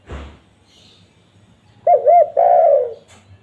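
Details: Spotted dove lure call: after a soft thump, one clear phrase of two rippling coos and a long falling croo, ending with a faint click.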